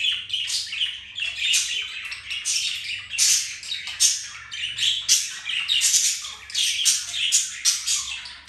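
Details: Budgies flirting, mating and playing together indoors, giving rapid scratchy warbles and high chirps in repeated bursts roughly once a second, mixed with squawky notes throughout.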